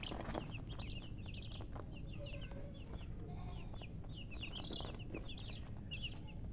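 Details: Chicks, baby chickens, chirping steadily: many short, high, descending peeps tumble out in quick overlapping runs throughout, with a constant low hum underneath.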